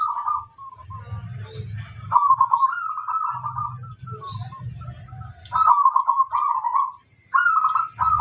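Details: Local zebra dove cooing steadily, its phrases made of quick repeated pulses that rise and fall slightly, with deep booming undertones and a steady high whine behind.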